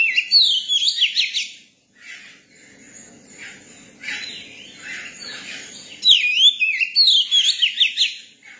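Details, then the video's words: Young Oriental magpie-robin, used to people, sings varied phrases of sharp, sweeping whistles in rapid runs of rising and falling notes, with quiet chattering between bursts and a loud, lively phrase in the final seconds. "tiếng chim chòe than bổi hót"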